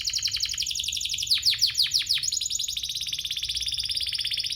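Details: Domestic canary song used to lure other canaries into singing: a fast, even high trill, broken midway by a few louder downward-sweeping notes, then resuming the rapid rattle.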